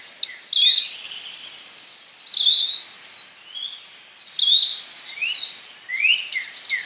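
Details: Yellow-bellied flycatcher calling: short, sharp rising whistled notes about every two seconds, with softer slurred chips and other high notes scattered between them.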